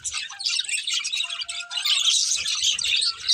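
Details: Budgerigars, a pair kept as pets, chattering in a busy, scratchy warble with squeaky chirps and a short sustained tone midway, plus faint low knocks toward the end.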